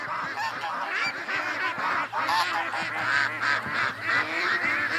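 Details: A free-ranging flock of domestic ducks at a lake calls as the owner greets them. Overlapping nasal quacks and honk-like notes form a constant, uneven chorus over a low steady hum.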